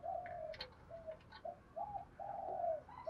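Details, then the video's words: Spotted dove cooing to stimulate wild-caught, shy doves into calling; soft, low coos in a short sequence of separate notes, ending in one longer drawn-out coo, recorded at low volume. "chim cu gáy kích bổi chim ra nhiều bài gấy ức chế cao cho bổi"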